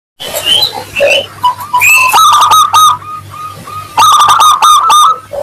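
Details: Local Zebra dove in lively 'crystal voice' song, played as a lure so other doves answer quickly: loud bursts of rapid staccato coos, some notes sliding upward, with higher chirps early on and a steady low hum underneath.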